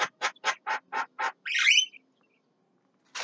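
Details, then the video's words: Javan myna singing at midday: six harsh, buzzy notes repeated about every quarter second, then a rasping, scratchy burst, a pause, and another harsh note starting at the end, in an otherwise quiet setting. "JALAK KEBO SIANG HARI"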